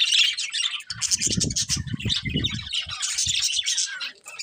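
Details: Colourful budgerigars, a breeding pair, giving loud continuous scratchy warbling and squawky chatter, with a low throaty pulsed sound in the middle of the passage.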